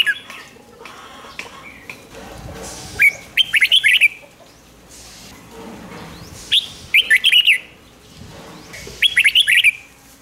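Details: Red-whiskered Bulbul kept in a cage, song used to rouse other caged birds: three loud, rapid warbling phrases of several slurred notes, spaced about three seconds apart, over soft background chirps.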